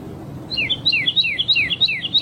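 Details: Red-crested cardinal singing in nature, delivering about seven fast repeated two-note phrases, each a high whistle dropping into a lower slurred note, over a soft low background rumble.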